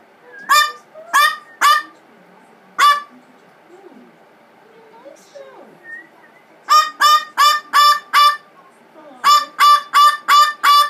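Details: Pet blue-fronted amazon in a bad-tempered tantrum after a spray of water and rose water, giving rapid bursts of raucous, honking screams in runs of three to five, with a pause in the middle.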